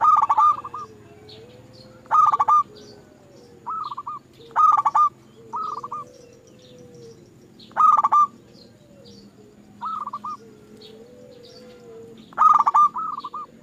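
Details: Repeated zebra dove song on a lure recording aimed at making other doves sing. Loud rasping pulse bursts alternate with softer stuttered phrases roughly every one to two seconds, suggesting several birds. Low sliding tones sound in the background.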